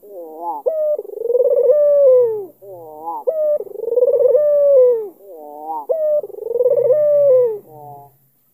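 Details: Albino Barbary dove with a black collar cooing to lure a rival into answering: three long rolling coo phrases, each opening with stuttered notes and swelling into a sustained wavering tone, repeated about every three seconds, with faint low thumps.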